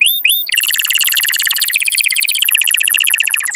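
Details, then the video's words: Canary singing to encourage mating; two short upswept whistles, then a long rapid rolling trill of dense repeated high notes. "تغريد كناري قوي لتحفيز الذكور وتهييج الاناث على التزاوج Canary"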